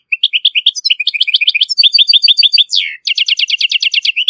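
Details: European goldfinch in Morocco giving a strong tutoring song for goldfinch and hybrid chicks: a lively stream of repeated twittered chirps, a falling buzzy slur, a brief gap, then a fast rattling trill.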